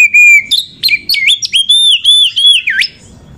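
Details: Oriental magpie-robin, a female used as a lure to excite other magpie-robins into singing: loud clear whistled notes, a long steady tone then quick rising and falling slurs and a deep downward swoop, about three seconds of phrases.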